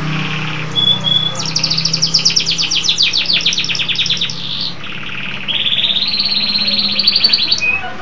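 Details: A local canary in full, vigorous song. A short pure whistle leads into a rapid rattling trill, then a long, even, buzzy rolled note, with a faint low hum underneath.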